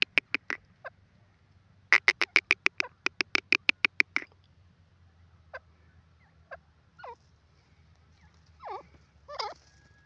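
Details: Grey francolin, described as the Irani or white teetar, calling: a rapid series of sharp, loud, evenly spaced notes repeated in bursts, followed by softer, scattered, wavering notes at varying pitches.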